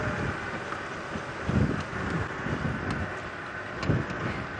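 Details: A sunset safari drive on January 10, 2017: steady vehicle rumble and wind buffeting the microphone, with a few soft knocks and thumps.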